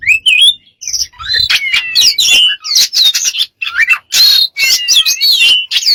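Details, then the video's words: Bird said to make many strange sounds delivers a dense jumble of chirps, squeaky whistles and harsh notes, varied in pitch and nearly unbroken. "smart bird have lost of strange sounds"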